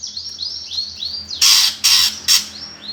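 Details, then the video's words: Greater green leafbird 'gereja tarung' fighting song to provoke competition birds: a run of clear upslurred whistles followed by three loud, harsh, noisy bursts and another rising whistle. "PANCINGAN cucak ijo suara gereja tarung"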